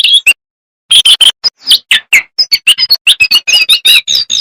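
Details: After a brief silence, a jongkangan breaks into quick, sharp chirps that build into a dense twittering run of bright, slurred whistles.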